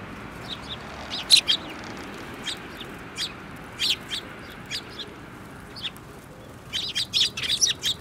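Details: Several sparrows, one yellow-beaked, on 15 February 2018, chirping busily: scattered high tweets, then a rapid run of overlapping chirps toward the end, with a light background hiss.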